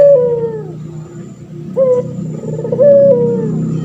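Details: Drawn-out, wavering coos from a male puter pelung turtle dove kept as a training model for other birds. Each long tonal note droops at the end, with three phrases in under four seconds above a constant low background drone.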